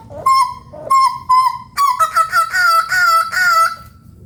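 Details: Papuan hooded butcherbird giving three separate honking notes, then a rapid stuttered series. This runs into a long, slightly rising, resonant tone, all with a buzzy, horn-like quality.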